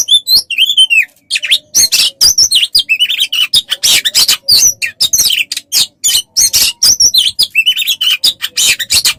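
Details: Oriental magpie-robin tutor song for training songbirds: an arched whistle opens a long, rapid sequence of chattering chips, harsh rasps and short whistled notes with almost no gaps.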